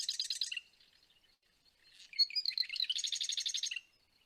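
Marsh Wren song: a dry, rapid mechanical rattle, then a few sputtering buzzy notes, then a second fast rattling trill about a second long.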